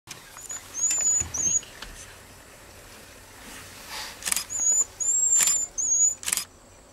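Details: Jerdon's bushlark singing at Valley School: very high, thin, whistled notes in short bursts, first one burst and then a longer run after a pause, mixed with clicking and handling noise.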